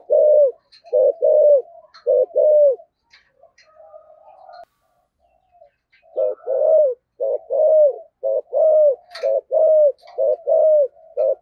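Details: Spotted dove (cu gáy) with 'giọng thổ' voice in urgent 'thúc gù' cooing: three quick coo pairs, a soft murmuring pause, then a long run of low short-long coos about once a second, with faint chirps.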